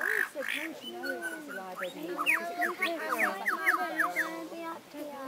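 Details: Superb lyrebird mimicking various sounds at Healesville Sanctuary: low, honking harmonic notes, then quick rising whistled sweeps repeated several times a second, with faint voices behind.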